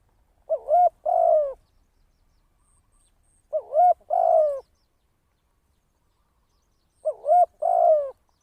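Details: Spotted dove kept as a decoy bird for trapping, cooing in three similar low phrases about three seconds apart, each a short double note followed by a longer rolling coo, with silence in between.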